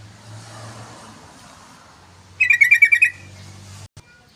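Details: Lure and tutor recording of an actively singing yellow-vented bulbul: a single phrase of about eight rapid bubbly notes lasting under a second, amid low hum and a brief click.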